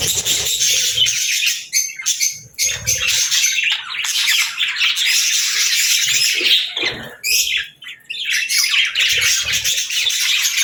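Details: Continuous fast warbling and squeaky chatter from pet budgerigars, high and busy, dipping briefly near the end before resuming.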